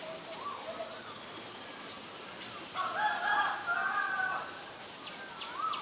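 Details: Black-collared starling at Ubon Ratchathani, Thailand, 17 April 2022: a few short rising notes, then a loud, harsh, buzzy squawk of almost two seconds, ending in a brief upward note, with sparse high chirps from other birds behind.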